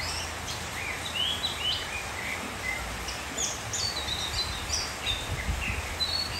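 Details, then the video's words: Oriental magpie-robin in rain, giving scattered high whistles and brief twittering phrases at irregular intervals, some notes rising or falling sharply, against a continuous rain hiss and faint low rumble. "Mưa ngâu nghe choè than hót"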